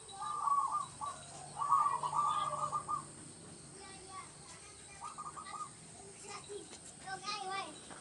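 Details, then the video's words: Local zebra dove in a rural village setting, song used as a lure for trapping doves: short trilled cooing phrases near one pitch, repeated in bursts, with other birds chirping faintly in the background. "PERKUTUT LOKAL GACOR UNTUK PANCINGAN SUARA PIKAT"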